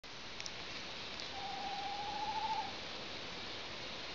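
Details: An owl gives one steady, level, whistled hoot of just over a second, set against constant background hiss.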